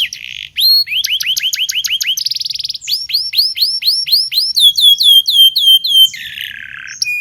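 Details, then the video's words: Very active local canary, recorded as a training song for learner canaries: bursts of clipped rising notes, a short buzzy trill, rows of curving whistles and downslurred chips, ending with a low buzzy phrase. "Suara Burung kenari lokal super gacor bagus untuk pancingan kenari belajar bunyi"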